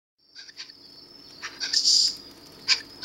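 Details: Three young Eurasian scops owls, fallen after their nest tree was cut down, at a wildlife rescue centre at Monte Adone, July 2012, eating voraciously: short hissy high bursts, several quick ones then a longer rasp, over a steady thin high whine.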